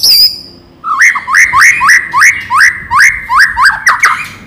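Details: White-rumped shama in full song, played to provoke other shamas into singing, with loud rattling notes: a high thin whistle, then about nine strong upslurred whistled notes, each followed by a sharp click, repeated roughly twice a second.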